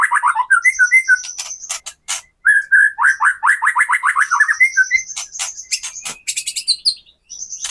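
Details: White-rumped shama (murai batu) song used to provoke captive birds to sing, show aggression and deliver their full repertoire: rapid varied whistled phrases and fast trills, mixed with sharp high clicks and thin buzzy notes.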